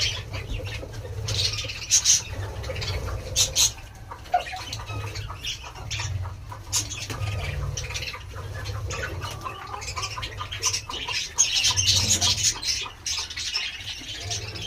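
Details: Pet budgerigars at home chatter in quick, scratchy chirps and warbles over a steady low room hum.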